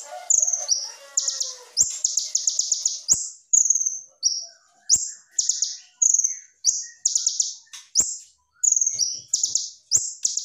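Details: Konin, the brown-throated sunbird, singing clear, fast-paced 'gacor' song with rich 'tembakan' bursts: shrill high staccato chirp rattles and short descending whistles, delivered almost continuously with brief gaps. A soft lower warble shows at the start.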